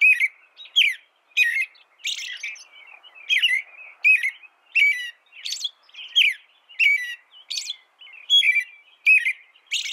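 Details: Continuous American robin song for ten seconds, a rapid chain of clear carolling phrases and high squeaky notes, loud and unbroken, with no background noise.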